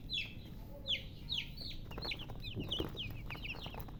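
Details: Several baby chickens peeping, with clear high descending chirps coming in uneven bursts and overlapping, plus some soft bumps and rustling beneath.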